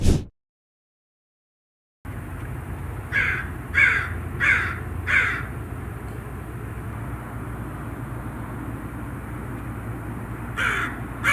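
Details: Raven giving a series of four short harsh caws, then a pause and another caw, over steady low rumbling traffic noise.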